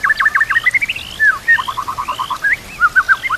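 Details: Training song of a white-rumped shama, its repertoire stuffed with kapas tembak and cililin canary phrases: quick chattering notes, upslurred whistles and a fast even series of clipped notes, all loud and clear.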